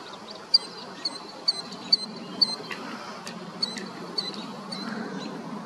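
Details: Killdeer chicks at Summer Lakes park give thin, high peeps, single or in quick pairs, about once a second, over a steady low rumble of background noise.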